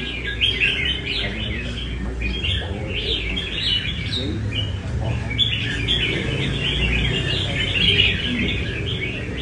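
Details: During practice in Da Nang, a Nam Đông red-whiskered bulbul sings its 'cafe' style song in lively clusters of warbled, fluty notes separated by brief pauses, over steady low-pitched background noise.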